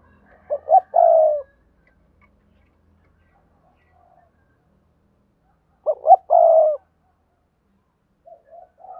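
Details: Spotted dove from Đồng Nai, Vietnam, used as a lure, giving double-voice decoy cooing. Two matching phrases come about five seconds apart, each a pair of quick hoots and a drawn-out mellow coo. Faint coos begin again at the end.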